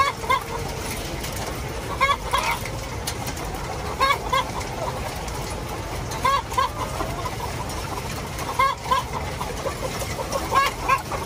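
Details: Hen calling after laying an egg: short clucks spaced about two seconds apart, rising notes over a steady background hum.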